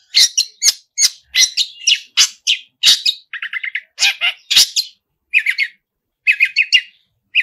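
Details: Long-tailed shrike, vigorous song packed with 'isian' fill material: quick chattering phrases of scratchy notes alternate with tight buzzy trills in short groups, separated by brief silences.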